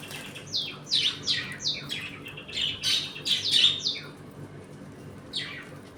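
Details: Budgerigars chattering in a home colony during feeding, play and fights, a rapid string of loud rasping chirps for about four seconds, then a short pause and one more chirp, over faint background hum.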